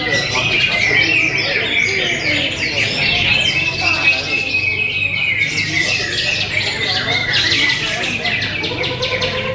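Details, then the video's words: Greater green leafbird, a bird said to have classy song material, giving a dense, continuous stream of high chattering notes and quick squeaky twitters with a steady whistled strand beneath, other sharp chips overlapping throughout. "Materi berkelas cucak hijau"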